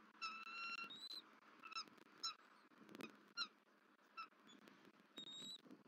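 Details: Bald eagle female returning to a Southwest Florida nest on 31 December 2023 and screeching at the male feeding their eaglet, caught on a live nest camera; thin, high, whistled calls with harsh overtones, several short notes in quick, uneven succession.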